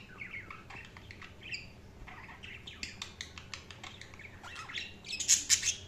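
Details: Budgies chirping: scattered short bright chirps and warbled notes, rising into louder, harsher squawks near the end.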